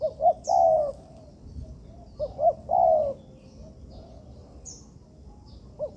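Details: Spotted dove (tekukur), young birds trained in a constructed yard; two phrases of short bouncing notes and a sustained, gently falling coo, then a quieter gap, with a few faint high chirps elsewhere.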